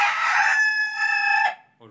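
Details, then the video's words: White roosters crowing: a loud harmonic crow held about one and a half seconds, level then slightly dipping before cutting off, with a faint brief sound at the end. "My Roosters are Crowing|White Roosters"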